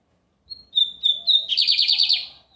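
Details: Lined seedeater, singing a lot on a Sunday. The song has a brief high note, three sustained clear whistles, then about eight quick buzzy trilled pulses with a slight rise and fall, against near silence.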